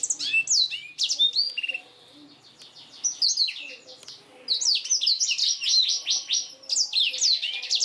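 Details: Master song of a black-throated canary for training kenari, with quick chirps, a pause around two to three seconds, then a long run of rapid repeated high notes and trills.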